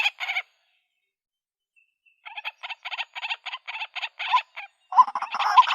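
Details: Female white-breasted waterhen calling to attract a mate: a brief croak, two seconds of silence, then a burst of rapid, rasping, clipped notes ending in louder, harsher squawks.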